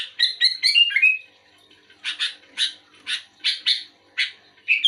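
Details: Sooty-headed bulbul answering another bulbul opens with a quick warbling run of buzzy, whistled notes, followed by single and paired harsh chirps about every half second.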